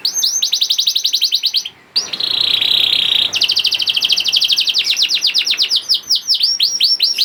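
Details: Young canary (kenari paud) singing as a lure to prompt reluctant canaries to sing: fast trills of repeated high notes, then a steady buzzy rattle, followed by rising and falling whistled sweeps repeated several times a second.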